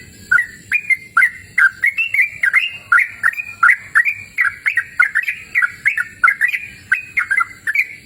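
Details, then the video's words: Yellow-vented bulbul singing vigorously outdoors in a cool, open natural setting: a steady run of short, bubbly, rolling notes, each opening with a sharp click, repeated about twice a second for the whole stretch. "Suara Merdu Burung Trucukan Gacor!"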